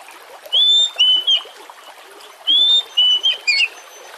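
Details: Oriental magpie-robin song meant as a lure to get other magpie-robins singing: two matching phrases of pure whistled notes, a long steady whistle then shorter falling ones, two seconds apart over light hiss.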